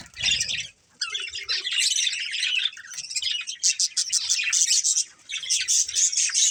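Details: Budgerigars, a breeding pair, begin with a low rumble and brief pause, then launch into lively high warbling and quick repeated chirps that grow denser and sharper.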